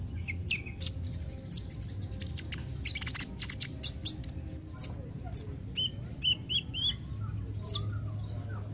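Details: Kolibri ninja therapy song for quiet birds: dense volleys of piercing high ticks and twittering trills, followed by a run of short, rising, whistled chips, over a constant low background hum.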